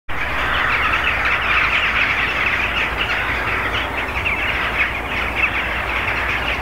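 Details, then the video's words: In a rook pre-roost, mainly rooks, possibly mixed with jackdaws, gather in treetops before the night roost, recorded from about 400 m: a dense, unbroken wash of overlapping harsh caws over a low rumble. "Rook pre-roost"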